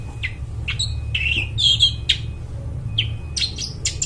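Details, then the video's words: Singing long-tailed shrike with a clear, bright voice, used as a lure for wild forest birds: scattered sharp chips, a brief whistled phrase and scratchy bursts, with a low humming background. "cendet gacor, suara plong bening cocok buat pikat burung dihutan"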